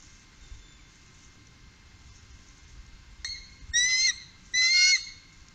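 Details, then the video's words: Upper Mississippi, 2018, where three bald eagles were recorded: after several seconds of low rumbling background, two loud, high, piping whistled calls ring out, each lasting about half a second. "Trio Bald Eagle- Górnego Mississippi 2018"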